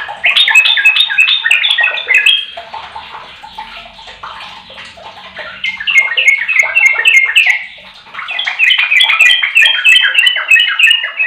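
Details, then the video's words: Lure song of the sooty-headed bulbul, meant to get a silent bird to reply rapidly: long fast series of chirpy whistled notes in descending runs, a softer stretch in the middle, then another loud rapid run. "Di jamin trucuk bisu 100% nyaut ropel"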